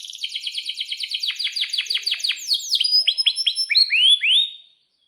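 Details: Lively canary song played as a lure and tutor for young canaries learning to sing: a rapid run of steeply falling chirps, then slower, louder upswept whistles repeated about three per second.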